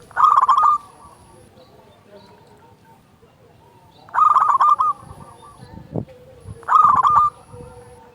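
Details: Local Indonesian zebra dove with a loud, full voice, singing actively and used as a lure to coax other doves to sing. Three short stuttering cooing phrases of rapid, slightly rising notes, spaced several seconds apart with quiet between.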